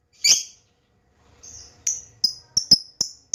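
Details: Juvenile lovebird practising ngekek to draw replies from other lovebirds: one harsh squeak, then a quickening string of thin, high, piercing chirps.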